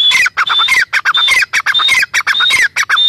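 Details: Grey francolin calling loudly: dense, rhythmic phrases of harsh, squealing notes with a ringing whistle, repeated rapidly with only brief gaps.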